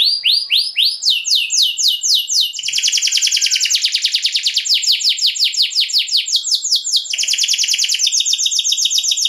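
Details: Canary delivering a lengthy 'luxurious' lure song to provoke other canaries, with chains of upswept notes turning into long, rapid, buzzy rolling tours that switch pitch several times.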